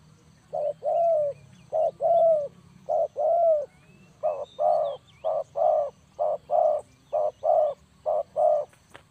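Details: Spotted dove calling, a clean recording meant as a lure for trapping: a steady run of about a dozen low, mellow hooted coos, each short and rounded, given in quick pairs and triplets with brief gaps, against faint background hum.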